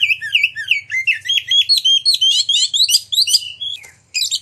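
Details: Oriental magpie-robin in full, constant song, used to prompt other magpie-robins to sing and fan their tails: a fast run of sharp whistled notes, about three per second, bright and varied, ending in a high squeaky flourish.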